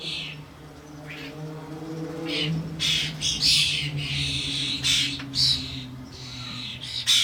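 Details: Adult common starlings with their fledglings at a garden bird feeder with suet blocks, during a commotion, give harsh, raspy squawks in quick irregular bursts, nearly two a second, over a low steady hum.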